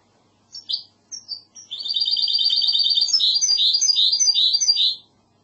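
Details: Goldfinch hybrid (mixto) singing in the classic Andalusian style: a few separate high whistled notes, then a fast rattling trill held for about three seconds that breaks into rapid varied chirping phrases before stopping.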